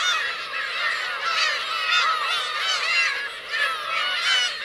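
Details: Black-tailed gulls, parents with chicks, at Kurosaki coast on Teuri Island, Hokkaido, on 17 June 2021: a dense chorus of many overlapping mewing, arched harmonic cries, continuous throughout.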